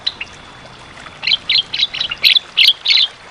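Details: Vigorous Javan myna song as a tutor recording for caged birds: after a near-silent start, a fast run of about seven scratchy, squawking notes, each clipped and evenly paced.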